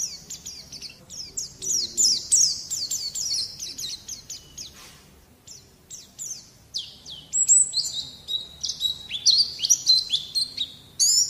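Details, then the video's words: White-eye song from a tutor recording used to prompt young birds to sing: high, rapid downward-slurred notes for three seconds, a near-silent pause, then varied sharp whistles and chirps building again. "Mancing Bunyi Pleci Bakalan"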